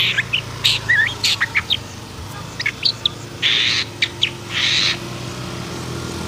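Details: Excited long-tailed shrike giving a few twittering whistled notes, then longer harsh grating rasps with brief sharp chips between them.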